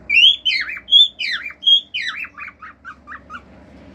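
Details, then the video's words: Male cockatiel kept as a pet, singing natural calls including wolf-whistles and clicks: bright whistled notes that sweep up then drop, followed by a run of short falling chirps, indoors. "CALOPSITA MACHO CANTANDO CANTOS NATURAIS, FIU-FIU, ESTALINHOS ENTRE OUTROS"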